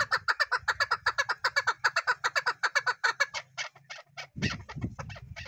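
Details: Rapid chattering chuk notes from a chukar partridge, fast and even at first, then loosening into slower, scattered notes before a burst of low rumbling noise near the end.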